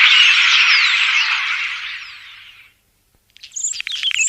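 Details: Common starling, a flock-living bird called a pest of crops, gives a long loud hissing rasp that slowly fades over nearly three seconds, followed after a pause by quick squeaky clicks and thin whistles.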